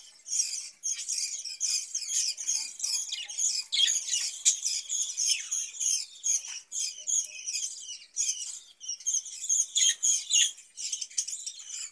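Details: Budgerigars in a cage where they breed, giving a dense, continuous warble of rapid scratchy chirps, clicks and squeaky notes with hardly a break.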